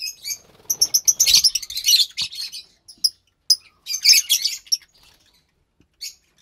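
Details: Two captive lovebird chicks, pastel white and pastel light green colour forms, recorded March 3rd, 2021, giving bursts of harsh, high raspy chirps in quick clusters with short silent gaps between.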